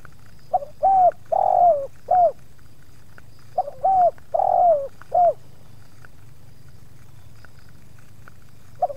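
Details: Spotted dove used for luring wild doves in a yard in Subang, facing two wild birds with mild resistance from the second; two full hollow coo phrases, each short-long-short with the long note sliding downward, separated by quiet gaps.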